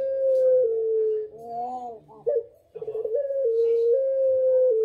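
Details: Puter pelung turtle dove giving telung segoro calls: low, drawn-out hooting tones that step down in pitch, a short wavering break in the middle, then the long, level coo resumes to the end.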